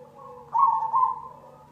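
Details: Cemani-type zebra dove lure song: a quiet low coo, then one loud, slightly trilled cooing phrase lasting about half a second and fading back into soft notes, with a constant background hum.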